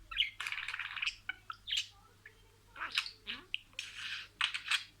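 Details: Pet budgerigar speaking sequential words: scratchy, breathy bursts of chatter in clusters with a quiet gap midway, a few short squeaks, and a faint low hum throughout.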